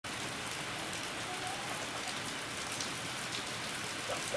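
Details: Steady rain falls throughout, a dense even hiss with no animal voice heard.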